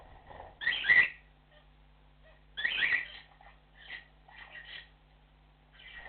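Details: Cockatiel flock calling: two loud rasping chirps about two seconds apart, followed by softer broken chatter and twittering notes.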